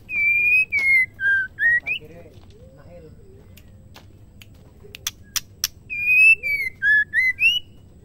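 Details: Female white-rumped shama singing to stir males into song: a run of five clear whistled notes sliding between higher and lower pitches. A pause with sharp clicks follows, then the same whistled phrase repeats.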